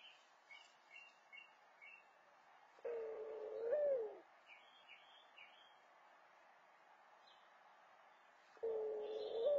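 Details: A mourning dove at its nest gives its coo call to attract a mate, a low, hollow coo that swells and lifts near its end, then starts again; small birds chirp high in the background.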